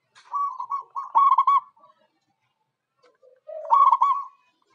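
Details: Zebra dove (Geopelia striata) song, a local perkutut used as a lure: two bursts of soft, stuttering cooing notes, clipped and rapid with a slight trill, separated by a short pause.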